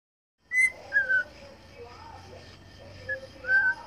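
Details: A young pet cockatiel learning to sing gives clear whistled phrases, some sliding downward, together with lower warbling notes and pauses between them.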